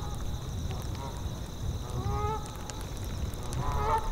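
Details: Tundra geese honk in short nasal bursts, first a pair of calls midway and then a louder honk near the end, set against rushing wind and a constant high cricket drone.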